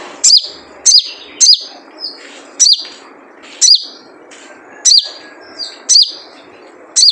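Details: A wild spiderhunter's typical 'jrejet cuit' call, meant as a lure to set birds singing. Shrill downslurred chirps come roughly every second, some in close pairs, with a faint steady hum beneath.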